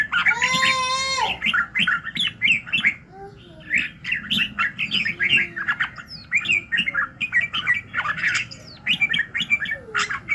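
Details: Morning song of a red-whiskered bulbul for voice training: a brief drawn-out buzzy note opens, then a steady run of quick chirps and warbled phrases repeated almost continuously, with faint lower whistles in between.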